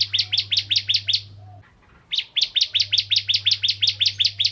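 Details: A lively Bar-winged prinia (ciblek kristal), used as a lure to draw other prinias, gives rapid series of sharp, high chipping notes, about six per burst, pausing briefly before resuming; a low steady hum runs underneath.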